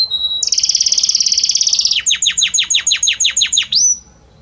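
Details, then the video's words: Belgian canary singing a varied, harmonious song that moves gradually from note to note: a short steady whistle, a fast buzzy trill for about one and a half seconds, then a run of ten sharply falling, repeated swooping notes ending on a high whistle. "Magnífico Como canta este Canário Belga!"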